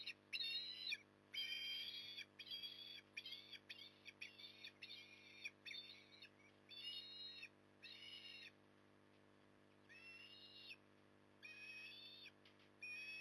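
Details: Osprey at Port Lincoln, Australia, feeding on an October 2020 evening; persistent squealing chirps, some rapid and stuttering, others drawn out, continuing irregularly for over ten seconds, softer toward the end, low hum throughout.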